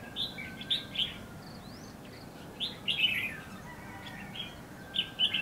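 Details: Red-whiskered bulbul used as a decoy while trapping in bushes at Lương Sơn, Hòa Bình, Vietnam. Short bright warbled phrases come in bursts, with pauses between groups. A thin upslurred whistle from another bird is faintly heard.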